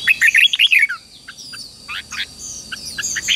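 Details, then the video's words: Red-whiskered bulbul fighting song used to train young birds to sing: a loud opening run of fast, rich warbled notes lasting about a second, followed by spaced, softer chirped phrases and a thin steady high tone. "luyện cho chào mào bổi hót"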